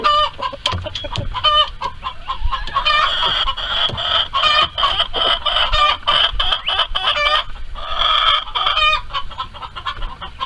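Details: Hens and roosters in a barnyard coop while laying eggs: loud, harsh, harmonic screams repeat in long overlapping bouts with clucks, forming a raucous nearly continuous chorus over ten seconds.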